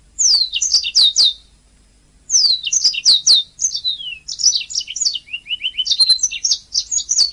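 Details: Canary song used to tutor songbirds: rapid series of downward-sweeping whistled notes, a brief pause, then varied twittering that ends in a short trill of repeated lower notes and more high chirps.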